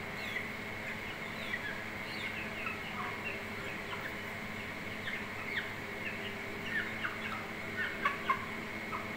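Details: Hens with chicks and a mother chicken, happy while being fed rice on July 17, 2024; many thin, high, falling peeps overlap rapidly, about four a second, over a steady background hum.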